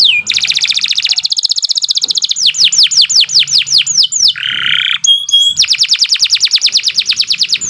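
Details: Kenari, or Atlantic canary, in lively long song for training and stimulating other canaries: a fast rolling trill, a run of downslurred whistles, a low harsh buzzy burst and a rising note, then another rapid trill.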